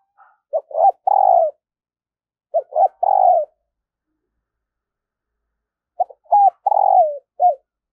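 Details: Spotted dove kept as a decoy bird for luring wild doves, cooing in three separate phrases about three seconds apart; each phrase has short clipped notes leading into a longer, mellow, slightly falling coo. Quiet background, no other sounds.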